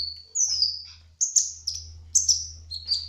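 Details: A spotted sunbird (kolibri ninja trotol) sings high, thin, sibilant notes and short buzzy trills, bursts coming about twice a second with a faint low hum beneath.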